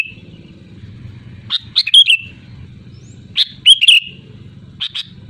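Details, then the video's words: Sooty-headed bulbul calling at full voice to rivals. Two loud liquid whistled phrases, each ending in a downward slur, with a few short chirps between them and a low hum behind. "SUARA ASLI BURUNG KUTILANG GACOR LANTANG MEMANGGIL LAWAN"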